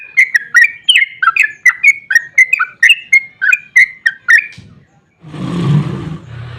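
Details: Trucukan (sooty-headed bulbul) song for stirring other bulbuls to call back: rapid rolling burst of bright whistled notes for about four and a half seconds, then a rushing noise and low rumble.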